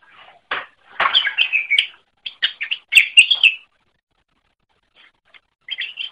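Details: Greater green leafbird song meant for tutoring other birds: bursts of rich, scratchy warbling and chirps in two clusters, followed by a long silence and a short final phrase.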